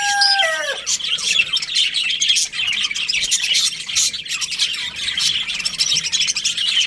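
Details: A short, flat whistle with a falling end opens the recording, then a group of budgerigars in breeding season fills the rest with dense, high, scratchy chatter and chirps.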